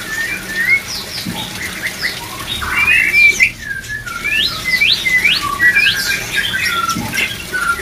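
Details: Many white-rumped shamas singing as breeding-drive therapy: a busy run of overlapping whistled and swooping notes, some high and sharp, continuing almost without break.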